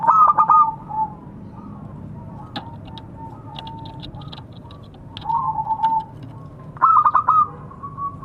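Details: Local zebra dove calling to companions: stuttered coo phrases at start and end, soft low coos and scattered faint clicks in between.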